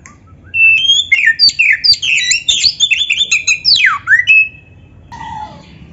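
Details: Oriental magpie-robin (kacer) song played to make other magpie-robins sing: dense, fast phrases of whistles, buzzy notes and sweeping slurs, with a steep downward sweep near the end, followed by a short quieter falling call.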